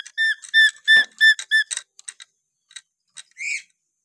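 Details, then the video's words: Natural call of a lory from Papua: rich, nasal, evenly repeated notes, about six in quick succession, breaking into shorter scattered clicks and a final rough, rising squawk. "siulan alami burung nuri paltem papua"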